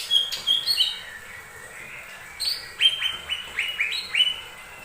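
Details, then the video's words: Lesser green leafbird song meant to lure other birds to sing: a lively stream of high, clear, slurred whistles and chirps, several notes each second with short breaks. "Pancingan burung cucak ijo mini"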